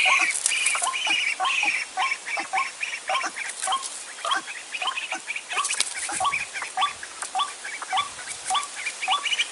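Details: Dry-season trapping lure of white-breasted waterhens: rising hooked notes repeated steadily, nearly two per second, over a busy layer of overlapping higher chattering calls from several voices.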